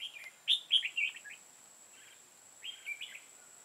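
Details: Red-whiskered bulbul used as a decoy during trapping on 5 October 2018, singing to challenge rivals: a short phrase of loud, warbled, slurred whistles, then a quieter answering phrase, over a faint steady high whine.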